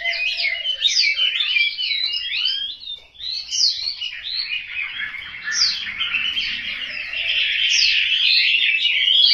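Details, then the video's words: Home-kept caged Chinese hwamei in Hanoi, Vietnam, pouring out a loud, rich, continuous song of rapid slurred whistles, swooping up and down and tumbling together with barely a pause, growing steadier and fuller toward the end. "Họa mi"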